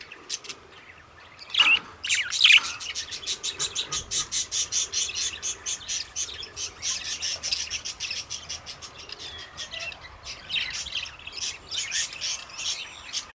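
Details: Pet budgerigars, also called parakeets, kept in an aviary, chattering busily: a dense, rapid stream of high, scratchy chirps and warbles running almost without pause, with a couple of louder squawky notes near the start.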